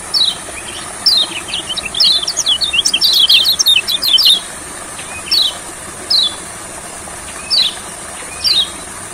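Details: Olive-backed sunbird singing in a rice field, recorded as song therapy for sunbirds that sing little: thin, high descending notes, a quick twittering burst in the middle, then single downslurred notes spaced about a second apart.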